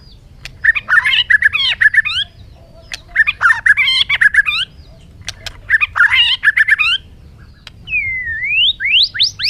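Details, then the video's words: A bird gives harsh, buzzy chattering phrases, about two seconds each and repeated three times with pauses, ending with a series of rising whistled slurs. "suab noog quaj zoo heev"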